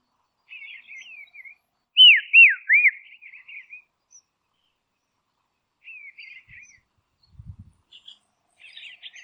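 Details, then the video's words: Dusky robin in Tasmania, Australia, giving a soft, mellow call: three loud, arching whistled notes in quick succession, with quieter twittering phrases before and after and a faint low thump near the end. "Dusky Robin Call"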